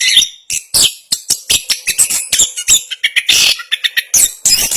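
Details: Orange-headed thrush, national champion in bird contests, pouring out a brief run of harsh, buzzy high notes and quick chirps in the speedy ngerol style, with a faint steady low hum underneath.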